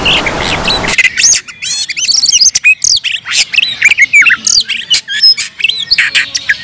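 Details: Oriental magpie-robins fighting in song, which is said to stir up emotion. A dense run of loud, varied whistles, trills and harsh squawky notes starts after a burst of noise.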